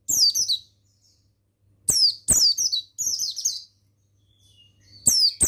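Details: Lively high twittering from a male Bustomi mountain white-eye used to train other birds: a burst of falling notes, a long pause, then three closely spaced chattering phrases and a final chirp, with clicks and hum.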